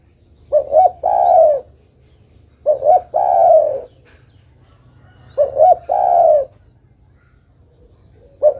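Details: Female spotted dove calling the male in a regular rhythm, three complete phrases of two quick upward coos and a long soft coo, repeated about every two and a half seconds, with a fourth starting.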